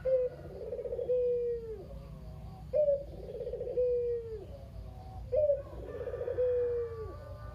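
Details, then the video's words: Lone captive male Barbary dove, local bird, noted as unusually chatty, cooing to prompt reluctant doves to call. Three rhythmic coos spaced about three seconds apart: clipped opening note, vibrating trill, drawn-out descending end, with steady low background hum. "Burung Puter Lokal (kugeru) gacor abis // Pancingan burung puter lain biar bunyi"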